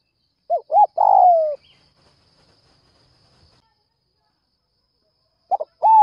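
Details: Early-morning Spotted dove luring other doves, giving two quick notes followed by a drawn-out falling coo. A fresh phrase begins near the end. The background is otherwise quiet.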